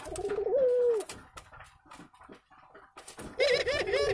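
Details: Pair of local spotted doves billing and cooing in the nest shortly before egg laying; a low wavering coo ending in a held falling note, rustles and clicks between, then another rolling coo phrase at the end.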